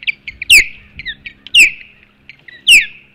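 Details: Osprey at a Hog Island nest in April 2016 with an intruder nearby: loud shrill descending whistles repeated about once a second, each led by softer short chirps, over faint low hum.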